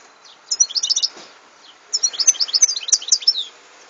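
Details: European goldfinch singing in 2014: a short twittery burst followed by a longer run of bright, tinkling chirps and slurred high notes, with soft background hiss.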